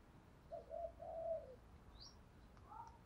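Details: Faint spotted dove coos in the 'thổ pha đồng' style, used to train decoy birds: a soft rolling phrase early on over steady hiss, followed by brief higher chirps from other birds.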